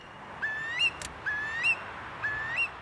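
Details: A Eurasian curlew in Finland in summer, walking in tall grass and thought to be guarding a nearby nest, gives three clear whistled calls gliding upward to a sharper rising note, about once a second; a brief click between the first two.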